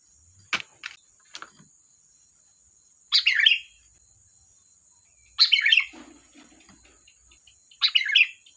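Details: Sooty-headed bulbul, known locally as kutilang, giving lively chattering phrases: three loud bubbly bursts about every two and a half seconds, with a few faint clicks between them.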